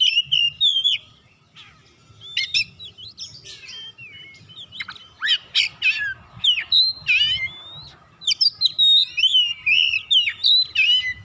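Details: Oriental magpie-robin in energetic song used to coax other birds into singing: dense, varied whistled and buzzy phrases, a short lull, then a long rapid sequence of sliding whistles and sharp chirps.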